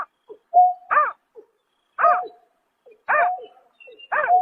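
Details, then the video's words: Greater painted-snipe at night, March 2024: four arched, resonant hoots about a second apart, each with a drawn-out level low whistle and a few faint soft notes between. "Tiếng Chim Nhát Hoa Đánh Đêm Vụ Tháng 3 Năm 2024"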